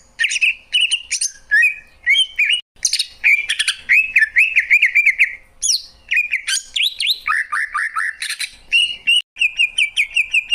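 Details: Continuous medley from a greater green leafbird: rolling warbled trills, sweeping slurs and clusters of high sharp chirps, with a brief break before a final steady trill.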